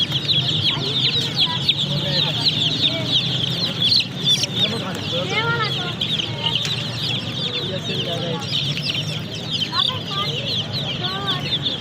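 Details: Chicken chicks peep in a busy chorus of high, squeaky notes, some lower slurred chirps rising and falling among them, over a constant low hum.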